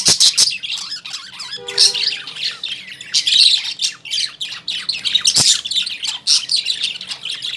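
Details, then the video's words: Lovebirds in a cage at home chattering with harsh, high squawks and chirps. A short tonal hum sounds near two seconds, along with sharp clicks, and the busy chatter carries on throughout. "Lovebirds Humming Sound , Love Birds Chirping, Love Birds Making Sounds , Love Birds in Cage At Home"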